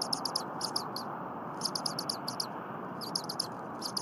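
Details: Bald eagle nestling at Berry College, 23 January 2022 at 8 AM, vocal while its mother prepares frozen leftover prey. Bright, high chirps in short rapid clusters, slightly softer over a faint steady background hiss.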